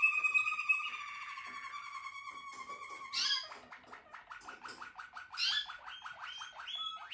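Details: Malinois Waterslager canary, a bred singing canary, in song indoors: a long watery rolling trill held low, then a higher bubbling tour, shifting into rapid repeated notes with bright bursts.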